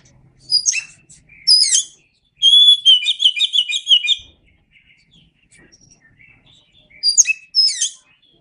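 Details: Oriental magpie-robin song recorded as tutor material: sharp, sweeping chirps, then a long run of rapid, ringing whistles and trills, a quieter pause with faint notes, and two more chirpy calls at the end.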